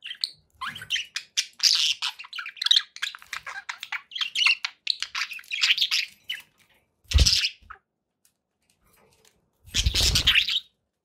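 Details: Pet budgerigars chatter in quick, squeaky chirps and warbles for several seconds. Two loud, rough bursts of noise break in later on.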